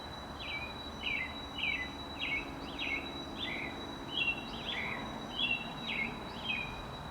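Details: American Robins singing on April 28, 2019: a steady run of short whistled phrases, each a quick downslurred note or two, repeated roughly every half second with little pause, over a constant high electrical tone and faint low background noise.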